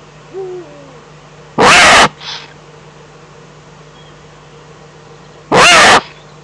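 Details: Eifel eagle-owl, 11 April 2014 at 3:47: faint low descending notes, then two loud, rough, hissing screeches about four seconds apart, with a weaker echo-like rasp after the first, over steady hum.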